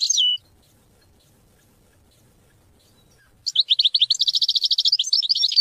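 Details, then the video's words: European goldfinch singing, meant to teach and stimulate hunting and mating: one brief slurred note, three seconds of quiet, then a rapid, tinkling burst of high chirps building into a dense, buzzy twitter. "Goldfinch songs to teach and motivate hunting and mating"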